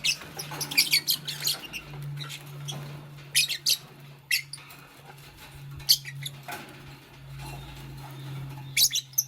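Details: Nest-building green Fischer's lovebird with a pastel companion gives scattered groups of thin, high chirps and squeaks, with quieter gaps between them and a steady low hum underneath.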